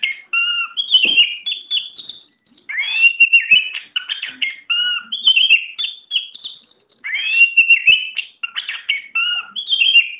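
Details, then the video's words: Contest Oriental magpie-robin singing full, lively phrases of rising slurred whistles, steady high notes and quick chips, each phrase lasting about two to three seconds and separated by short pauses. "Burung KACER mental baja siap diadu"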